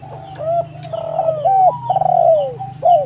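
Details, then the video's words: Spotted dove calls in close succession: overlapping mellow coos, slurred and falling, with a sharp click or two early on. A steady low hum and a thin high tone continue underneath. "TEKUKUR GACOR suara merdu"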